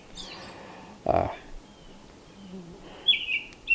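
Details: An American robin gives short, clear whistled phrases near a lakeside campsite on Johnson Lake near Ely, Minnesota, on May 31, 2021, while a man speaks quietly over a soft outdoor hush.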